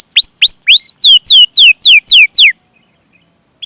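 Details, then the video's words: Canary chirping a lure song for training other canaries: several short rising whistles, then about six clear descending sweeps in steady rhythm, followed by silence. "Masteran Suara Burung Kenari Gacor Panjang cuit cuit Ngerol untuk Pancingan Kenari!"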